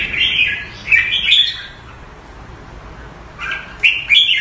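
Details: Red-whiskered bulbul kept caged Thai style in Singapore, February 2018, giving two clusters of chirpy, slurred warbles at the start and end with a near-silent gap between them.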